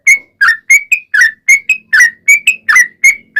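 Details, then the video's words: Sooty-headed bulbul (trucukan) singing energetically, played as a lure. Crisp whistled notes, some level and some swooping down, follow one another about three times a second. "SUARA trucukan gacor ROPEL PANJANG pancingan trucukan agar bunyi"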